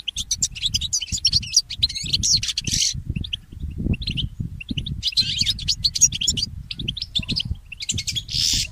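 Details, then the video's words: Goldfinch mule singing in the early morning: rapid, bright twittering phrases with chirps and trills in bursts separated by short pauses, over steady low thumping knocks throughout. "The inspiring Motif of the Mule Goldfinch"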